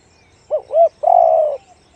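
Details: Single phrase from a spotted dove of the 'one-kook, big voice' type: two quick arched notes and a half-second smooth coo, clean and close.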